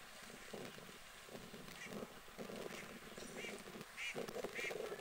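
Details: Common moorhens on a UK lake give short, harsh croaking notes in an uneven run, roughly one or two a second, with other waterbird chatter in the background.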